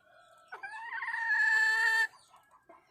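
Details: Wild chicken hen calling for the rooster: one sustained, slightly rising cackling note lasting about one and a half seconds, cut off sharply, then a couple of quiet clucks.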